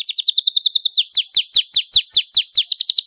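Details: Canary song used to get other canaries singing: a fast high chattering trill giving way to loud, evenly spaced downward-swept whistles, about three per second, then a quicker trill at the end.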